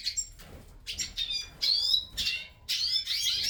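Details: Hooded siskins starting to sing in a breeding aviary: bursts of high, rapid twittering and rising whistled notes separated by quieter pauses, the phrases growing louder toward the end.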